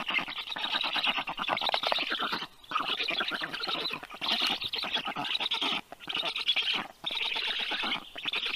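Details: Rescued black stork young, 30 days old, fed at a university animal clinic in Tartu, Estonia, 21 June 2022 afternoon; bursts of dense rasping, ticking begging calls separated by brief pauses.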